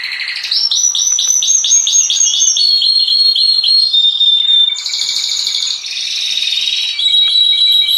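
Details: Orange canary sings a loud, continuous song of rapid trills and rolling tours, shifting between high bright phrases and lower warbling runs with no pause.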